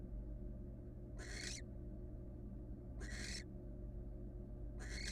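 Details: Female barn owl, a wild bird using a nest box, gives three rasping, noisy hiss-screeches spaced almost two seconds apart, with a constant low droning hum underneath.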